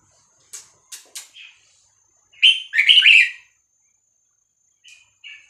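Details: Red-whiskered bulbul, Vietnamese type, 3-4-5-6-7 style song played to instruct young birds and excite them. A few sharp clicks, then one loud rolling cluster of liquid whistles, ending with two faint short notes.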